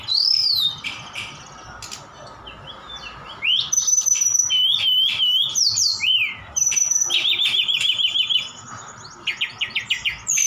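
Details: Singing Javan bush lark from Sukabumi, its song filled with cililin and sikatan Londo imitations. Bursts of high whistles, wavering trills and rapid repeated chips, separated by short quieter gaps.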